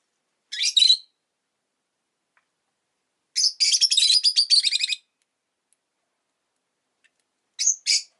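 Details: Rosy-faced lovebird uttering a harsh double chirp, then after a gap a rapid chattering series of about a dozen scratchy notes over a second and a half, ending with two more brief squeaky chirps.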